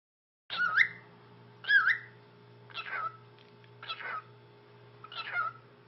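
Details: Male cockatiel, nine years old, kept indoors as a pet, greeting with five short wavering whistled calls, each rising and falling, spaced about a second apart, over a faint steady hum.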